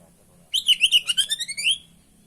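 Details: Oriental magpie-robin singing energetically on a bird-training recording: one phrase of roughly ten rapid, pulsing chirps falling and rising in pitch, ending in a brief upward whistle.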